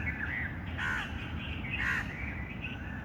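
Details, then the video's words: Short stretch of busy bird chatter, with two louder raspy calls standing out above a mass of overlapping mid-pitched notes and a low background rumble. "birds chirping sound"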